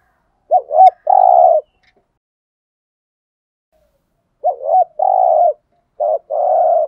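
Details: Decoy spotted dove cooing to attract wild birds: a double short coo and a long croo, then about three seconds of silence, then two more similar phrases close together.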